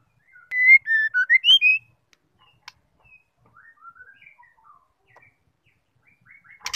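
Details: White-rumped shama, a female calling to provoke a male: a loud whistled phrase of six notes with dipping and rising pitch, then soft, scattered distant chirps and clicks.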